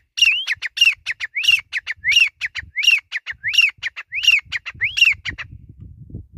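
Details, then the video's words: A grey francolin gives a steady run of about eight loud phrases, each a rising slurred note then two or three short sharp notes, repeating roughly every 0.7 seconds. Faint low background noise builds near the end. "Desi Teetar Ki Boli | Teetar Ki Awaz | Gora Teetar Ki Sound | Desi Teetar Voice Call"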